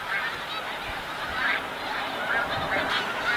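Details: Snow geese on migration at Montmagny, Quebec, a thick chorus of rapid, irregular nasal honks from many birds at once, a few higher yelps standing out near the end.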